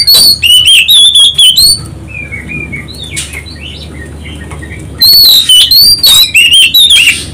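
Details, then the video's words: Lure song of an Oriental magpie-robin, meant to draw other birds into song. Loud, rapid strings of clear whistles and rising slurs open and close the recording, with soft scattered chirps and a low hum between. "pancingan kacer ampuh tercepat nyaut langsung gacor"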